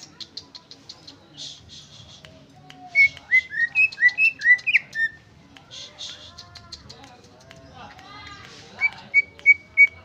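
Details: Greater green leafbird giving its original song without fill-ins: a quick run of bright whistled notes that step up and down, then a pause with soft chatter, then three sharp repeated whistles at the end.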